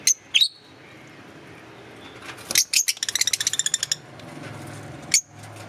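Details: Green Fischer's lovebirds chirping: a few sharp high chirps, then a fast ringing run of about a dozen ticking notes, ending with one piercing chirp over a low hum.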